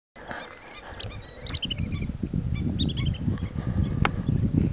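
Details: Possible Long-billed Dowitcher (the recordist thought this three-note call fits Short-billed, but it sounds off), Ouray National Wildlife Refuge, eastern Utah, 21 August 2011: sharp, high keek notes in quick clusters of two or three over heavy low wind or handling rumble.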